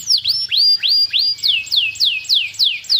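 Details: A brisk canary phrase of clear whistled notes, each sweeping upward and repeated about four times a second, later shifting to higher descending slurs; young bird singing as tutor song to set a silent canary singing.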